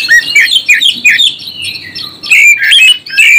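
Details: Oriental magpie-robin song, used to stir up and provoke other magpie-robins: loud, rich whistled phrases with slurred rising and falling notes and sharp chirps, delivered in quick bursts with brief pauses, all high-pitched.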